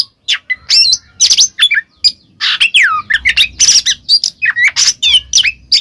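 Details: Oriental magpie-robin song of the ngeplong type, played to prompt a mute bird to reply: dense, varied run of sharp chirps, rasping squawks and swooping whistles delivered almost continuously, with a faint low rumble underneath.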